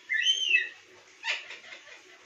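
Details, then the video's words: Pet parrot vocalizing: a clear whistled note bending up and then down over about half a second, followed by a short harsh, breathy burst that fades out. "Parrot talking"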